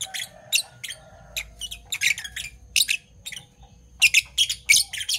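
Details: Two Fischer's lovebirds, parblue violet and parblue turquoise color mutations, singing in the morning: sharp, high, scratchy chirps given in quick irregular bursts, with short pauses between clusters and a faint low hum behind.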